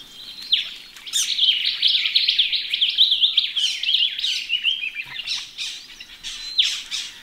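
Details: Australian ring-necked parrots having a thorough wash in a pond, giving loud, harsh, high-pitched chattering calls in a continuous jumble for several seconds, then a few separate sharp squeaks.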